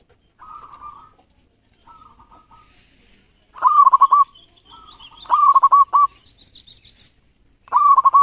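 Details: Local Indonesian zebra dove singing repeatedly: quieter cooing phrases alternate with three loud bursts of rapid bubbling coos, each ending in a drawn tone; a faint high whistle from another bird runs briefly in the background.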